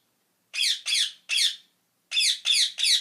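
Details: Parrot giving harsh, raspy squawks in two bursts of three, each call short and grating, separated by a brief silence.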